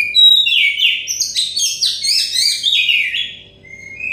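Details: Continuous song of an Oriental magpie-robin of the dakon type, meant as therapy for a stressed bird: clear high whistles mixed with rapid warbled and scratchy notes, rising and falling, ending in a long thin whistle.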